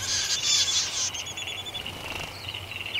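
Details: A striated pardalote of a pair nesting in a stone wall under a shed gives high, sharp chipping notes in quick, uneven runs, with a thin whistled note near the end; light outdoor background noise.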